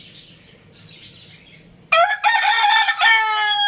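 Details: Young rooster kept at home bursts into a loud, raspy crow after two seconds of quiet, harmonic and sustained, dipping and rising before ending; faint bird chirps heard beforehand.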